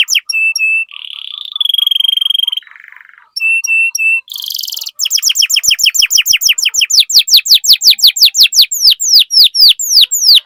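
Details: Canary singing to coax other canaries into song: clear steady whistles, a buzzy trill, a low rattle, then a long fast run of descending sweeps slowing toward the end.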